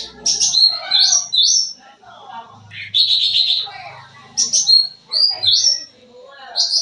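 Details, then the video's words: Sooty-headed bulbul singing energetically, used to lure young birds: high buzzy trills alternating with quick whistled slurs and rising notes, softer chatter and low background murmur between phrases. "Suara Cucak Ranting Gacor Full Isian, Cocok Buat Pancingan Burung Bahan"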